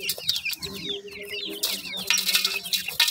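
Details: Several new grey francolin chicks cheeping together in dense, rapid high chirps that overlap without pause, with brief scratchy rustling bursts near the end.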